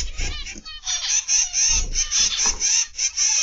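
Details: Aviary of zebra finches, afternoon of 29 November 2021: a crowded chorus of short nasal beeps and honks, repeated in bursts about every half second, loud and continuous throughout.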